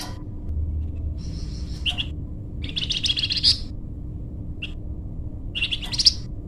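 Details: Flamboyan bird in energetic singing form, played to lure or train birds: scattered high chirps and a longer buzzy twitter phrase, with steady low background hum.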